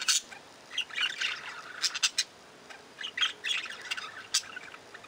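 Budgerigars chatter in bursts of high, scratchy chirps and squawks, clustering in quick runs with short pauses between.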